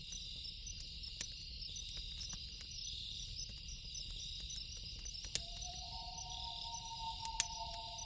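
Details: Loon calling at night: after five seconds a long, steady, mournful tone begins and holds to the end, a second higher line joining it, over crackling, popping campfire and a constant high insect hum.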